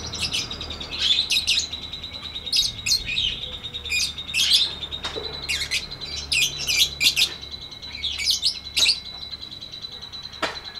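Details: Long full-length lovebird 'ngetik ngekek' song for training stalled lovebirds: rapid harsh chirps and sharp ticks in irregular bursts throughout, over a faint continuous high whine.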